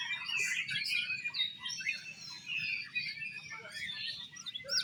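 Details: Competing Oriental magpie-robins at a bird singing contest, delivering exotic-style song: busy tangle of sharp chirps, slurred whistles and scratchy bursts, loudness pulsing up and down, steady low murmur beneath.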